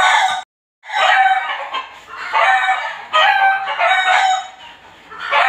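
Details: Backyard chickens belonging to a neighbour, calling every day and hour including night: a brief gap, then a run of loud nasal squawks and drawn cackles rising and falling in overlapping bursts.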